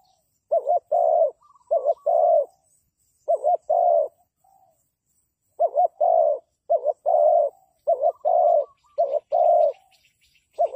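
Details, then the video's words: Decoy spotted dove for bird trapping, repeating its cooing phrase: a quick doubled coo then a drawn-out low croon, about a dozen notes in bursts with short pauses. Faint high chirps of small birds appear near the end. "The Sound Of Dove is very good Trap,Bẫy cu gáy bằng mồi trồn"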